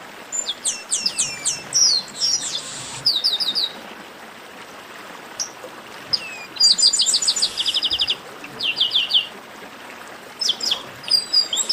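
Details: Garibaldi blackbirds, chestnut-capped, in a lively 'baderna' group chorus used to excite singing birds: repeated bursts of quick chirps and hooked whistles, separated by short hissy pauses.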